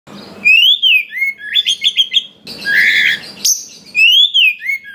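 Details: Oriental magpie-robin, a wild-caught forest bird, singing a varied song rich in fill-in notes, meant to provoke other magpie-robins to sing. Rising-falling whistles, a quick burst of repeated chips, then a harsh buzzy phrase and more arched whistles.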